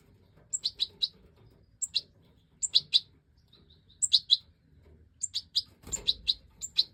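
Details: Major-type European goldfinch in 2024 breeding footage, giving a lively series of high, clipped twittering notes in tight groups of three or four, roughly every second, with a brief rustle near the end.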